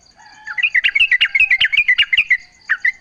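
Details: Yellow-vented bulbul pouring out a fast series of clear, bouncing chirps, about two or three a second, as a lure to get other bulbuls singing in answer; a faint steady high tone sounds beneath.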